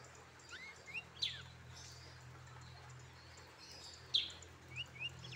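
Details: A very tame brown-throated sunbird, hand-raised as a pet since childhood, gives a few sharp, high chirps and short rising squeaks, widely spaced over several seconds, with a steady low hum underneath.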